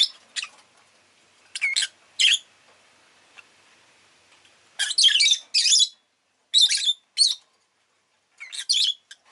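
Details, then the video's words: Scratchy high chirps from a pet rosy-faced lovebird, first scattered and light over faint background hiss, then louder clustered harsh calls in the second half. "Lovebird Chirping Sounds"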